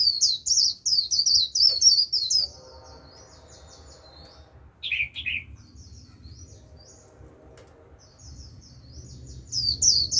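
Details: Japanese white-eye luring a wild flock with líu song: rapid high twitters fading into softer warbling, two short lower slurred calls, quieter twittering, then a fresh loud burst at the end.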